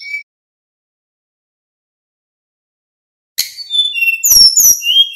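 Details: Male Little pied flycatcher giving a 'nyeklek' lure song to make other birds answer. A brief whistle is followed by a long pause, then a lively run of high, sweeping whistled notes broken by a couple of clicks.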